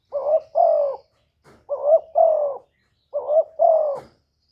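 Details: Spotted dove from Cà Mau, Vietnam, recorded as a lure sound for attracting birds, giving three low cooing phrases. Each phrase is a short coo followed by a longer falling one, repeated about every 1.5 seconds in quiet surroundings.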